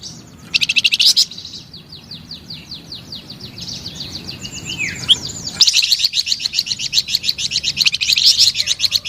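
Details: Vigorous flamboyan bird song: a short loud burst, then thinner evenly spaced high notes and a lower slurred note, breaking into a loud, dense run of rapid high chirps.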